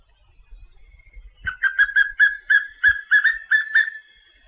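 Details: Papinho-amarelo singing a quick series of about eleven short, clear whistled notes, each slurred sharply, delivered roughly three per second at a steady mid-high pitch.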